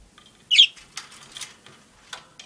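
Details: Angry pet budgerigar, a male that learned to open his cage door and push out his water bowl to escape, upset after both were fastened shut; one loud harsh squawk, then faint scratchy chatter and clicks, with a woman scolding nearby.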